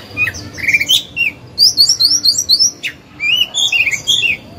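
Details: Caged oriental magpie-robin used to incite song in other birds; jumbled twittering notes, then a fast run of repeated high chirps, a sharp downslurred note and more warbling phrases.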